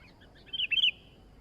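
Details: Sooty-headed bulbul uttering one quick bubbly phrase of three or four linked warbled notes, fairly loud against a soft hissing background.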